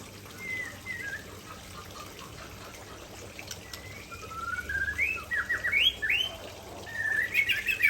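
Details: White-rumped shama of the Aceh type delivering its signature fill-in repertoire: faint, thin whistles early on, then a louder run of rising, slurred whistled phrases and sharp chirps toward the end, over a steady background hiss.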